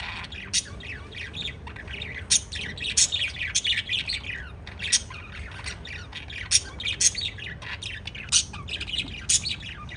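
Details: Several pet lovebirds keep up continuous chattering, mixing quick rising chirps with harsh, piercing squawks that punctuate the stream every second or two.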